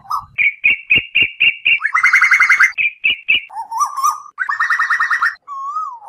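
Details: Asian koel night lure: a run of short, sharp high notes in quick succession, then rolling chattered bursts, interspersed with lower wavering whistles.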